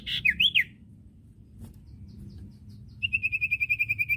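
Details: Common iora song for teaching captive birds to sing: two quick looping whistles, a pause, then a steady rapid series of identical high chirps repeated over a second, over a low hum.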